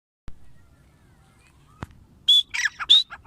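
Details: Grey francolin calling: after a couple of sharp clicks, three loud harsh notes, each with a short whistled upward tone, come in quick succession near the end, over quiet background.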